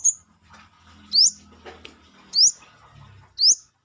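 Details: A brown-throated sunbird (kolibri kelapa) singing outside its cage repeats a loud, steeply rising high chirp roughly every second, with soft low background noise.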